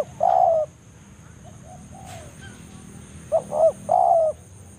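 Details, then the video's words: Spotted dove uttering its banggo rival-calling lure in the forest: one long coo ending a phrase, faint distant cooing, then a complete phrase of two clipped coos and a drawn, gently falling final note. "cara pikat BANGGO full memanggil lawan di hutan"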